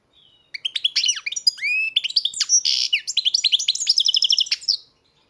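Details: European goldfinch from a breeder singing one unbroken four-second phrase of rapid liquid twitters, buzzy rasps and tinkling trilled series.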